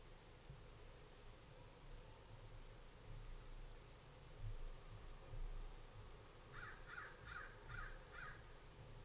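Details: An American Crow on a bird cam in Monterey County on 11/10/23 gives a quick series of five harsh, hoarse caws near the end, over a steady low rumble of wind and distant noise.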